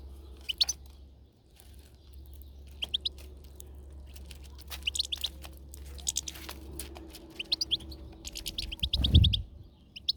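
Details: European goldfinch outdoors, uttering brief high tinkling chirps in scattered bursts across the clip, with a steady low hum and a thud near the end.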